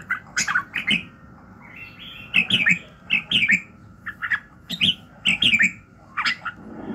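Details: Red-whiskered bulbul in morning song, bright whistled notes with sharp upward flicks, loosely spaced about twice per second, some paired into quick doublets, over a soft steady background hum.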